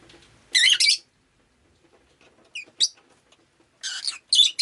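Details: Rosy-faced lovebird chirping on a rainy day, harsh buzzy screeches in bursts: a doubled loud burst, short sharp chirps after a pause, then two more rasping bursts close together.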